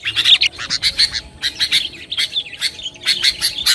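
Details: Sooty-headed bulbul chattering song intended to fire up rival birds; short choppy clusters of sharp, bright notes repeat in quick succession over a faint low background hum.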